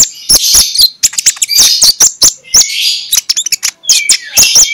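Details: Lure song of a magpie-robin in morning 'ngeplong' style, meant to set sluggish birds singing: sweet whistled phrases broken by many sharp clicks, repeated in short bursts with brief gaps.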